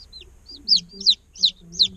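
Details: A day-old chick gives four loud, clear, downward-slurred peeps, spaced about a third of a second apart. Softer, lower notes follow each one.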